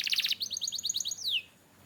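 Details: Canary singing a training song: a rapid buzzy trill, then a fast run of repeated bright chips, ending in one long clear whistle that slides downward.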